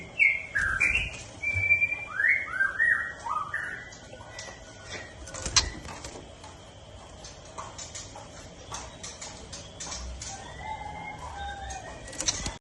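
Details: White-rumped shama singing rapid down-slurred whistled notes in quick succession for about four seconds, then a quieter stretch of softer whistles with faint ticking sounds.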